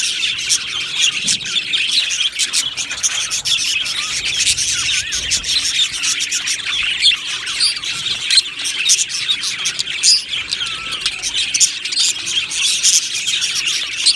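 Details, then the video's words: Many budgerigars chattering together in an aviary colony, said to be happy: relentless high twittering, clicks and squawks overlapping throughout, with brief louder bursts but no quiet gaps. "Budgie Sounds for lonely Budgies | Happy Budgies Birds Sounds"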